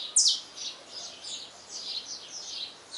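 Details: Saffron finch singing at dawn: one loud, sharp downslurred note, then a run of thinner high chips about three per second; no other clear sounds.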